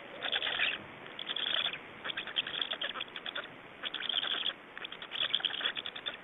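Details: Black storks in Estonia, 24 May 2012 at about seven in the evening, during change-over and feeding at the nest: four bursts of buzzy rapid-pulsed rasping calls with quieter pauses between.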